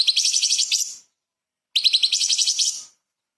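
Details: Light-vented bulbul singing 'tembakan' rapid-fire phrases for tutoring murai and kacer: two shrill, fast-pulsed trills of about a second each, separated by a silent gap.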